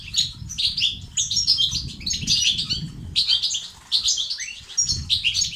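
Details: European goldfinch batbata and sastasat song played to urge males to sing: rapid chattering twitters and slurred chirps in repeated bursts with short gaps, over steady low rumble.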